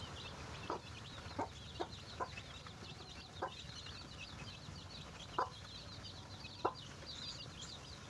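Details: Hen finding food for her chicks: soft, low clucks at uneven intervals, answered by a steady stream of high, thin peeping from the chicks, with quiet background noise.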